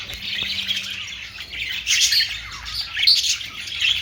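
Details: Budgerigars twitter and squawk in overlapping chatter, with brighter squeaky notes standing out around two and three seconds.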